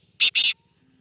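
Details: Black francolin calling: two loud, harsh, grating bursts in quick succession, the second longer, in otherwise quiet surroundings.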